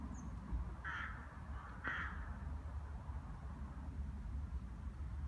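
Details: In winter in Brno, Czech Republic, rooks gathering to feed on seed scattered under a tree: one gives two harsh, hoarse caws about a second apart over a steady low rumble of traffic or wind.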